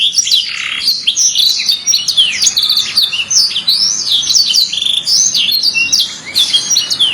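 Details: Master canary singing, said to be calling friends and fighting; a dense continuous stream of high chirps, quick down-slurred whistles and short twitters, with a few louder notes standing out.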